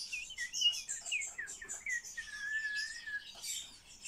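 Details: Common starling being trained to talk, giving a varied run of whistled slurs and bright chirps, with one long, even whistle held for nearly a second, all over a dense high chatter.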